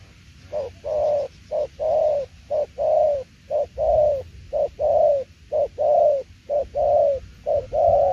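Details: Spotted dove cooing in the đồng tiểu liên nước style: a fast, steady run of mid-pitched coos, each pair a short hooked note followed by a longer falling coo, about one pair per second, with no other sounds.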